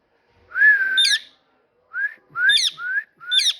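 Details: Talking parrot gives a long, level whistle ending in a sharp chirp, then short rising whistles, each capped by a quick high chirp.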